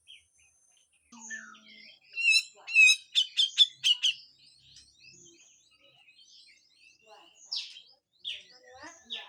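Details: Grey-cheeked bulbul in full harsh besetan song, recorded as master material for training songbirds: a loud burst of rapid, grating, stuttered notes over about two seconds, followed by scattered faint chips and squeaks.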